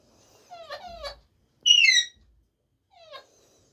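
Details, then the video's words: Pet talking parrot mixes wavering whistled notes with a strong, harsh, falling squeal in the middle, then ends on a softer rising whistle. "Talking parrot"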